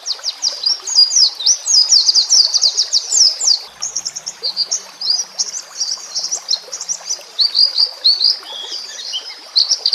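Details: White-rumped shama song, known as murai batu, recorded for training caged birds with background nature sounds and running water: a long, continuous flow of high, quick, twisting whistled notes, rising and falling without pause.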